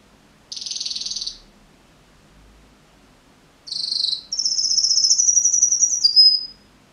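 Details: Canary song: a buzzy rolling trill, a pause, then a short rattle leading into a long, high, fast-pulsed trill that drops in pitch at the end, clean and loud.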